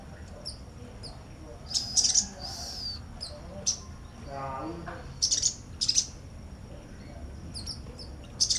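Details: Sogok ontong, a Brown-throated sunbird, chattering next to a female konin: bursts of very high, sharp squeaky chirps at irregular intervals, with a brief lower buzzy sound midway and steady background hiss.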